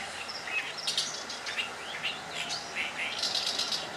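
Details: Oriental reed warbler (Acrocephalus orientalis) at Saitama Sakurasou Park, Japan, in May 2012, sings a loud, harsh, chattering song of grating, squeaky notes in quick uneven bursts over faint background hiss.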